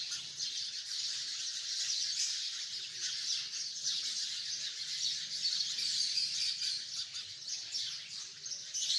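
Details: Hundreds of sparrows in a tree chirp at once in a dense, continuous, bright, overlapping chatter with no single voice standing out.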